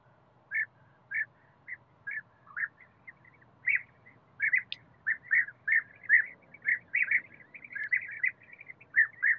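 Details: European bee-eaters in a forest setting give rolling, burry 'prruip' calls, short and mid-pitched, repeated about twice a second and overlapping toward the end, over a faint low hum.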